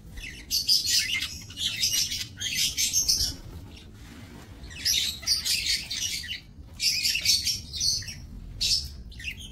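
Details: Budgerigars bred in a minimalist aviary, 28 November 2024; long runs of buzzy, scratchy warbling chatter lasting a second or two each, broken by a short pause, over faint low noise.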